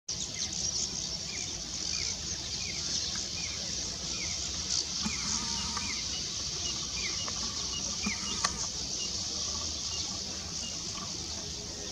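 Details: Streak-throated swallows at a cliff nesting colony of mud nests on rocky cliffs along the Godavari river, Nandur Madhmeshwar Bird Sanctuary, Nashik, Maharashtra, give short chirpy arched notes about twice a second over a steady high insect drone.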